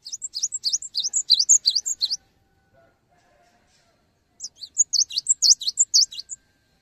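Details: Song of a cinereous tit, used to encourage other tits to sing: a fast run of high, bright chirps for two seconds, a silent gap, then another similar burst of rapid notes.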